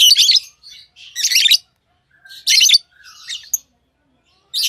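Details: Tame lovebirds give a handful of loud grating chirps mixed with softer, thinner twitters, unevenly spaced over a few seconds, with a quiet background.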